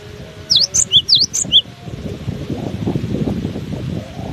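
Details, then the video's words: Singing in strong wind, a cinereous tit delivers a rapid phrase of five or six piercing high notes alternating between higher and lower pitches, followed by gusty wind roar. "Diterpa angin kencang! burung gelatik batu ini tetap gacor"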